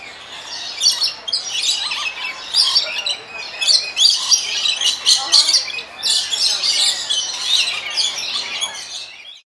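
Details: Lorikeets at San Diego Zoo Safari Park give a steady stream of shrill, rasping screeches and chatters, overlapping as if from a noisy group, for about nine seconds.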